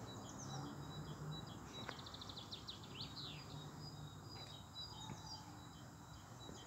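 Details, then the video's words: European robin singing on 13 April 2020: a quiet, high, thin phrase of quick trilled and sliding notes around the middle, then scattered faint high notes over a steady low hum and background noise. "kein Sonnenuntergang aber zwar dafür ein schöner Rotkehlchen aufgenommen!🐦🎶"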